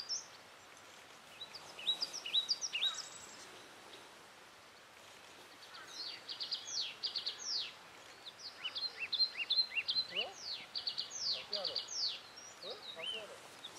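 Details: Yellow tit recorded at Aowanda, Taiwan, on 8 January 2012 at 10:14 in the morning; high thin notes in short bursts near the start, then a busier run of sharp downslurred whistles repeated rapidly over steady background hiss.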